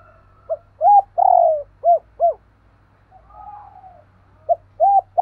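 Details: Spotted dove in paired cooing: a soft note, an arched coo, a long falling coo, and two short arched coos, then a faint drawn-out tone and the phrase beginning again. Steady low hum underneath.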